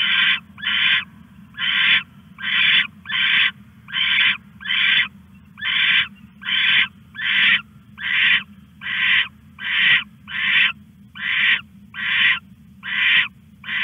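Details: Owl stashing a rat in the night, 1:41 AM, August 21, 2015; a long, even sequence of around seventeen raspy, hissing screeches, short and regularly spaced, with a constant low hum beneath.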